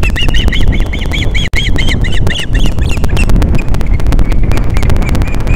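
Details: Captiva, Florida Osprey on a December 2021 morning while mating: a fast string of shrill, whistled chirps for about two seconds, fading to faint scattered notes, beneath constant strong wind noise.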